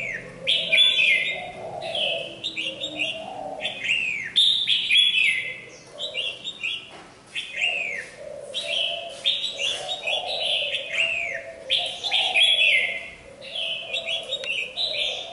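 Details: A moulting red-whiskered bulbul still sings energetically: bright, liquid whistled phrases, rising and falling, repeated every second or two, with a soft lower warble underneath.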